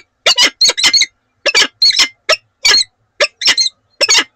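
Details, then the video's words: Breeding pair of wild peregrine falcons at Oudenaarde, Belgium, in a morning exchange on 7 March 2020: short harsh chipping calls in pairs and bursts with brief pauses, nothing else audible. "Slechtvalken Oudenaarde. Han & Ula. Ochtendgesprek."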